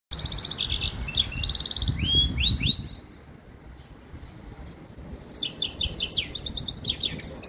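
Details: Caged goldfinch and canary hybrid in a handmade acrylic cage, singing bright rapid trills and buzzy twitters, then a few rising whistled slurs, a short pause and another run of fast chattering notes, over low rumbling background noise.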